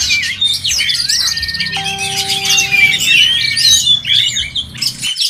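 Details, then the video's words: Oriental magpie-robins competing at a songbird contest, giving rapid whistled and trilled phrases with fast sweeping notes; a steady low pure tone sounds briefly mid-clip, then the song stops abruptly at the end. "LOMBA KICAU MANIA BURUNG KACER"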